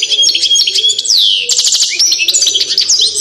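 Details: Goldfinch of the balcanica subspecies delivering dense, loud twittering song, liquid warbled notes mixed with a sweeping descending whistle and quick chattering bursts.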